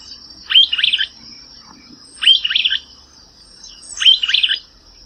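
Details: Streaked Flycatcher of the subspecies solitarius, Brazilian Cerrado: three squeaky, sharply rising phrases repeated about every one and a half seconds over a constant high insect whine.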